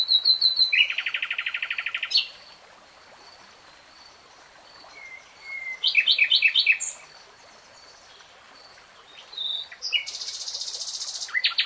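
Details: Common nightingale in full song: a rapid mid-pitched trill, a brief thin whistle, a burst of loud repeated clicking notes, then a harsh, buzzy, high-pitched churr with short quiet gaps between phrases.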